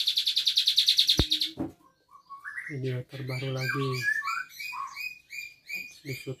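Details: Asian pied starling singing on its own without being teased, its song filled with Cililin-style imitations including canary, from the Bandung area; a rapid run of repeated buzzy notes, then varied chattering whistles, with a human voice and low harmonic tones in the middle.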